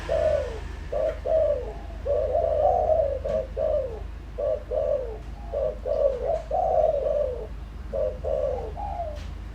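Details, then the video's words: Decoy spotted dove in a fast, urgent calling bout aimed at wild doves: a near-continuous string of short hollow coos and drawn-out falling phrases, low and mellow, over a constant low drone. "tiếng chim cu gáy mồi đủ bài gọi thúc gù giọng hợp Bổi kích bổi nhanh nổi"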